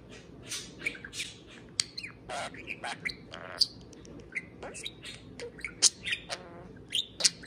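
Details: Pet parakeet serenading a can of beer: rapid chattering warble of sharp high chirps, short squawks and buzzy notes, with clicks scattered through.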